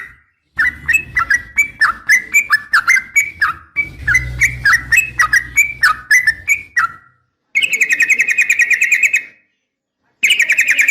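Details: Female sooty-headed bulbul calling to a male, recorded to stir caged males into singing: rapid sharp chirping notes around mid pitch, then two bursts of dense buzzy trilling separated by short silences.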